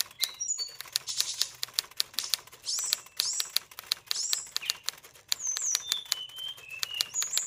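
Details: Magpie-robin at a bird farm in high breeding condition. Quiet whistled slurs and short note strings are mixed into dense, rapid clicking against a hissy background.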